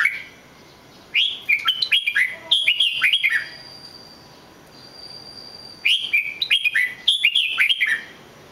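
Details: Singing red-whiskered bulbul delivering three separated bursts of rich, rapid whistled notes, each phrase a chain of rising and falling slurs, with quiet pauses of one to two seconds between bursts and a faint thin tone in the gap.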